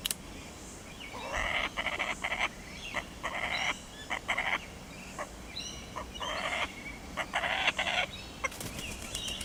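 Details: Laughing Kookaburra at Darvall Park, heard after catching a frog, giving loud harsh chuckling bursts in rhythmic runs of about a second each, separated by short pauses and building to a final burst, with faint other birds behind.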